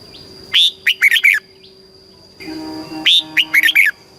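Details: Caged red-whiskered bulbul in Thailand singing the southern master-style song used to stimulate birds and teach young birds: two loud, quick phrases of about five whistled, warbling notes, under a constant high whine and low hum.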